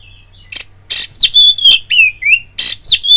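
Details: Oriental magpie-robin lure song meant to provoke fighting: harsh broadband rasps alternating with clear, downslurred whistles, delivered in a quick rhythmic burst of about a dozen notes.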